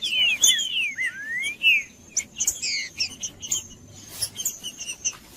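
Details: Male green-winged saltator singing to warm up and provoke another male: slurred whistled notes, falling then rising, in the first two seconds, then a busy run of short sharp chirps and a faint steady high tone.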